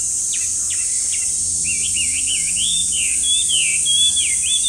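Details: Chinese hwamei beginning with a few sharp downward notes, then running into a rolling chain of wavering, looping whistles that rise and fall. A constant shrill insect chorus sounds behind it.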